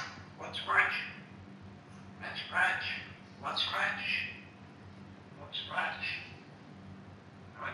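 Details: Talking African grey parrot, a female pet of about two years, chattering in a small room: four breathy, speech-like word bursts spaced roughly a second or two apart over a steady hum.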